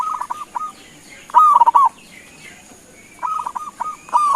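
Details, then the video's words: Zebra dove, local type, singing to lure answers from other doves; short choppy coo phrases, a loud rolling burst, a quiet gap with faint distant notes, then the stuttering coos resume. "Suara Panggilan Perkutut LOKAL Gacor sekali dengar langsung NYAUTIN"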